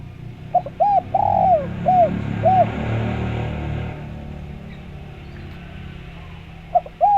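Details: Spotted dove coo phrase played to draw replies from other doves: a run of short arched coos around one long falling note, followed by a low rumbling engine-like noise, then two more coos at the end.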